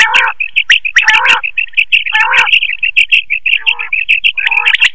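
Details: Quail call used as a lure for night-time net hunting: a dense run of sharp, high chirps, with lower, harsher buzzy notes breaking in about once a second.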